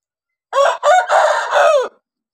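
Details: A red rooster gives one loud, hoarse crow of four harmonic-rich syllables lasting about one and a half seconds, with brief breaks between the first parts and a drawn-out final note that falls away at the end. No other sounds.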